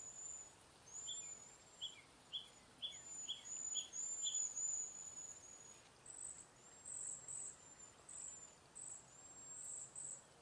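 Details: Backyard flock of cedar waxwings passing berries and insects: a run of very high, thin, lisping whistles repeated rapidly and overlapping, with softer short chips lower in pitch early on, and steady background hiss.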